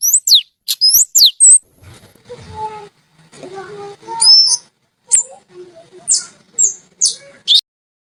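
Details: Oriental magpie-robin (kacer) in melodious, chatty 'gacor' song: sharp high whistled sweeps and upslurred notes in quick bursts, a softer lower warbling passage mid-way, then clear whistles spaced roughly half a second apart.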